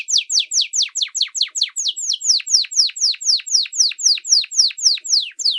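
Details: A canary sings a special training song for teaching young birds: a steady tour of high, sharply downslurred whistled notes, about four each second, repeated evenly throughout with no other sounds.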